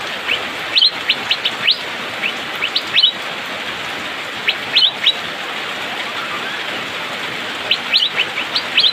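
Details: Asian fairy-bluebird singing in the rainy season, described as fast and tightly packed. Short high chirps and brief rising whistles come in bursts over steady rain hiss, with pauses between clusters.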